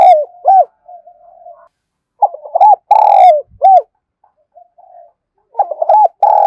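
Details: Spotted dove cooing to lure: two short arched hoots, a quiet murmur, then a loud phrase with a long hollow coo and a clipped final note, and another phrase beginning at the end.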